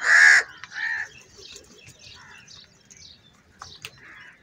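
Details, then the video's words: Crows squabbling over food in a big group: one loud harsh caw opens, followed by a softer caw and scattered faint calls of other birds. "Crow Bird Unity Anger And Sounds | Large Number Of Crows Ki Natural Awaaz And Fight For Food"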